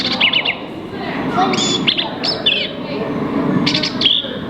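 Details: Recorded cowbird chirps and thin, high rising whistles played at a refuge visitor center exhibit in Oklahoma's Wichita Mountains, alongside a vireo's notes, over an indoor murmur; cowbirds lay eggs in other birds' nests.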